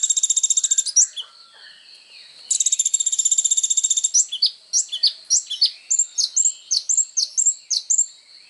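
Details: Energetic kolibri ninja sunbird song meant as training material for other songbirds: two long rapid high trills of even, stuttering notes, followed by a series of sharp descending chirps and thin whistles.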